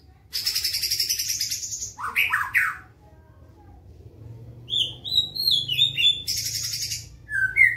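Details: Black-tailed white-rumped shama from Kelling, a murai batu, singing fast rough-toned fighting song: harsh buzzy bursts and rasping notes, then a quick run of high whistled chips, over a low background hum.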